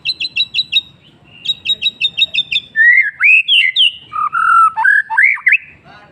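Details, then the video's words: Afternoon singing by a White-rumped shama: two bursts of rapid high stuttering notes, then loud, fluty whistles swooping between low and high pitches in a varied, melodious sequence. "MURAI BATU bird singing in the afternoon"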